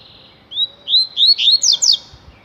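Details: A double-collared seedeater (coleiro tui-tui), singing a lot, gives a quick run of about six sweet, high whistled slurs, rising and falling, packed into a second and a half against a quiet background.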